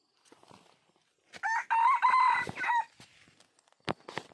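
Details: Luring wild red junglefowl: a strident crow of about one and a half seconds in three parts, preceded and followed by scattered rustling and clicks.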